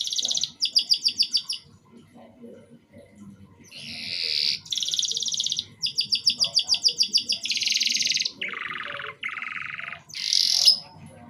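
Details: Canary singing in short broken bursts, meant to trigger young birds into song: high chirp series, rolling buzzy trills at different pitches, fast clicking note runs and a final bright trill, with brief silences between phrases.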